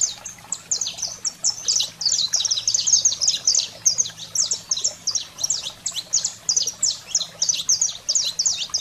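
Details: Heated 'fogo selvagem' singing by a saffron finch, used to stimulate canaries: nearly continuous torrent of shrill high chips and quick slurred notes, intense and densely packed, over a faint low hum.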